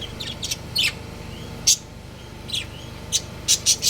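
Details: Budgerigars, a breeding pair kept at home, trading bright, clipped chirps and brief squeaks, with a quick run of three notes near the end, a low steady hum underneath.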